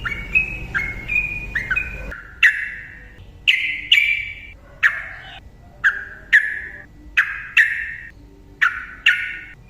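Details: Yellow-vented bulbul singing as a lure to prompt silent birds: a short run of stepped whistles, then loud, sharp, ringing single notes repeated roughly every second with an echoing fall.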